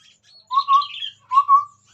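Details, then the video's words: Chestnut-rumped babbler singing actively in front of a phone: two low, level whistled notes, each slightly rising then held, with soft higher twittering around them. "Burung Tepus Tunggir merah Gacor"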